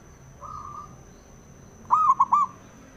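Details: Zebra dove male, kept as a local bird to spur other doves to sing, first makes a faint, long, level coo, then one loud, quavering phrase broken into three quick notes, over a thin constant high tone.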